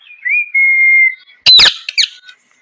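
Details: Loud parrot noise: a level, pure whistle held for over half a second, then a sudden harsh, grating screech and two smaller rasping notes.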